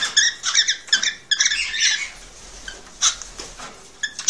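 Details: Male cockatiel song meant to stimulate a female to breed: a quick series of harsh chattering notes at the start, fading to quieter isolated chirps later.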